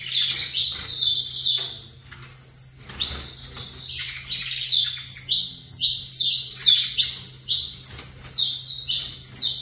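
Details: Long outpouring from a saffron finch facing another of its kind: fast strings of shrill, downslurred chirps, phrase after phrase with brief gaps, delivered about twice a second, with a faint constant hum.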